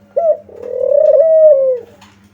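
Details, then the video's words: Single phrase of a spotted dove lure call meant to provoke replies: one clipped opening note, a brief gap, then a long vibrating coo that swells, holds and falls away. A soft hum runs beneath it. "pancingan ampuh gacor burung kuter di jamin nyaut"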